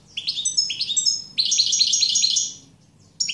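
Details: European goldfinch song: bright twittering phrases of rapid, liquid chirps and trills, high and tinkling, delivered in bursts with short pauses between them.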